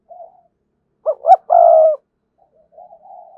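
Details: Spotted dove used as a decoy, strong-voiced; a soft low coo, then two short emphatic notes leading into a long, loud, level coo, and quiet murmured coos after.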